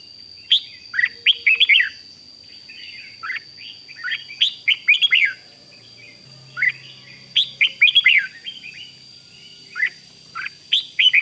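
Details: Red-whiskered bulbul, a Thai cage-bird, singing to excite other bulbuls: loud bursts of bright, warbled whistled phrases with sliding notes, clustered in groups every few seconds, a steady high electronic tone running beneath throughout.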